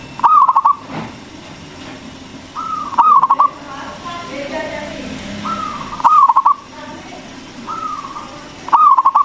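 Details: Local zebra dove with a big voice, singing to lure and stimulate other doves. Four phrases, each a smooth level cooing note sliding into a rapid burst of pulsed, rolling coos, repeated about every three seconds.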